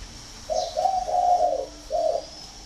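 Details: Spotted dove calling loudly and clearly, a mellow low coo sequence of two short notes running into a long drawn-out coo, then a separate final short coo, with faint background hiss.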